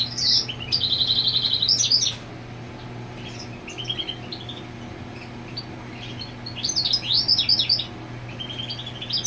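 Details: Territorial goldfinch beside the nest where the female sits: a buzzy trill and twitters at the start, a long quiet gap with soft notes, then another rapid chirping burst.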